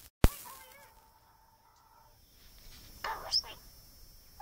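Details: A hand-reared pet Australian king parrot that likes to chat gives a long, steady, mid-pitched whistled note for nearly two seconds, then a brief harsh squawk, after a sharp click.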